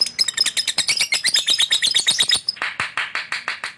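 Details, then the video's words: Caged male lovebird giving an energetic gacor chatter: a rapid series of sharp, squeaky chirps with thin high whistles woven in, turning coarser and more spaced toward the end. "lovebird fighter gacor"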